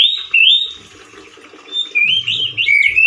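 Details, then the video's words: Orange-headed thrush male: a loud whistled phrase, a quieter stretch filled with hissing, splashing noise, then renewed harsh whistling and warbling. "ANIS MERAH GACOR SUARA KERAS DAN KASAR SEPERTI DI ALAM LIAR-ANIS MERAH JANTAN GACOR TELER"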